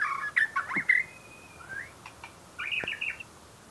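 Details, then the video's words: White-rumped shama delivering a quick tangle of whistles and harsh chips, then a long steady whistled note, and finally a short series of clipped, bright notes. "Murai batu macam batu"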